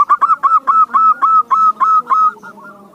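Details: Zebra dove song used as a lure to prompt other doves, even reluctant ones, to sing: a loud series of about nine short, evenly spaced cooing notes at a steady mid pitch, fading out after two seconds, with a clean, quiet background.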